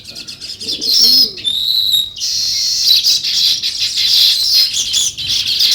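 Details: Flock of sparrows chirping outdoors, a continuous high twittering chatter with a few brief pure whistled tones early on, steady and busy throughout.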